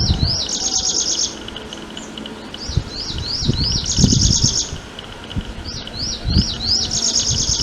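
A prinia gives high, rising upslurred notes in quick series, then a dry, rapid buzzy trill, repeated in three bouts; low rumbling background noise throughout.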